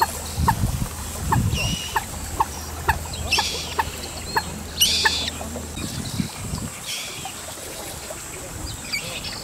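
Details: Well-grown common moorhen (Gallinula chloropus) young call eagerly for their parent as it moves away from the nest. They give short clucking ticks about twice a second with thin, higher peeping notes over a low wind rumble.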